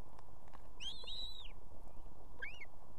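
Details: Female osprey, two chicks beside her on an Estonian nest at evening, calling her mate to bring food: one long, drawn-out whistled note arching up and falling, then a shorter rising chirp, over low background hum.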